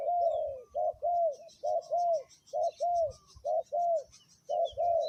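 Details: Spotted dove used as a ground decoy at its third spot, uttering repeated soft coos, a short note followed by a longer drawn one, in a steady pattern. Faint high twitters from other birds sit behind.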